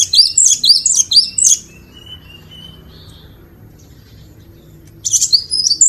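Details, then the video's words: Cinereous tit, kept as a master singer for training other birds: short bursts of rapid, sharp, high chirps, then a thin rising trill, then another quick burst of chirps near the end. "Master Burung Glatik Batu / Wingko"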